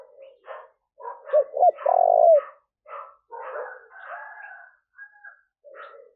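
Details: Spotted dove lure call for wild doves: a loud close phrase of two quick rising hoots and a long deep purring coo, surrounded by quieter rough repeated bursts from other birds.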